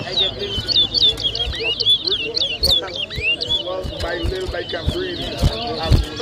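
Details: Towa towa (chestnut-bellied seed finch) singing at a bird whistling competition in New Amsterdam, Berbice, Guyana, 2023: rapid clear whistled notes, rising and falling, strung in quick phrases over loud crowd chatter and sharp knocks.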